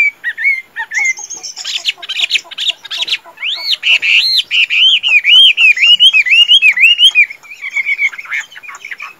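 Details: A tame Chinese hwamei, praised as a fine singer and fighter, opens with varied slurred and harsh notes, then settles into a long, even series of looping whistled phrases before fading into softer warbling.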